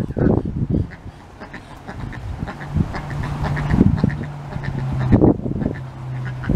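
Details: A small Indian Runner duck with Cayuga ancestry, on 19 August 2023, her first day out of the coop, mingles with Muscovy and Pekin ducks; Indian Runner ducks quack in short, harsh, nasal bursts at an uneven pace over a low steady hum.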